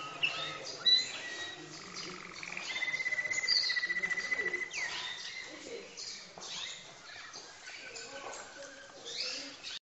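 A Waterslager canary sings a long, rolling, liquid trill held at one steady pitch, broken by brief chirps and warbled phrases; faint voices murmur underneath.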